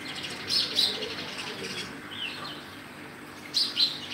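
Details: Sparrow call: paired high, piercing chirps at the start and end, with softer twittering between, above a low constant hum.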